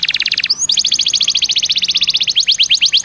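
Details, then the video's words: Canary song used to lure other canaries into singing: a fast rolling trill, a quick upward slur, then a long run of rapid repeated notes turning into sharper chirps. "PANCINGAN KENARI BIAR CEPAT GACOR"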